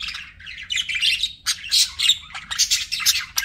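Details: Pet budgerigars chirping with buzzy, grating warbles and sharp high squawks, rising to a denser run of bursts in the second half, over faint low hum.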